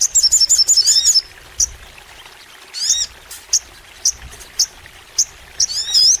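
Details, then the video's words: Crimson sunbird (sogon) singing long and energetically: a quick burst of high warbled notes, then scattered sharp chips and a rising slurred phrase, very high-pitched throughout. "MASTERAN SOGON FULL NEMBAK! Suara Sogon Gacor Panjang | Pancingan untuk Sogon Biar Rajin Bunyi"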